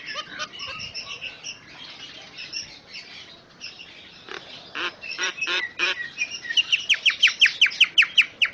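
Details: Jalak Nias, the common myna, singing a song meant for tutoring other birds: raspy squawks and harsh noisy notes, building into a fast, evenly repeated series of short whistled slurs.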